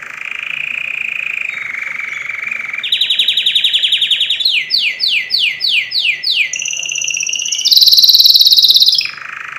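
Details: Canary song in distinct tours: a low rolling trill, a higher pulsed trill, then quick downward-slurred whistles about five times, ending in bright high trills and a final low roll.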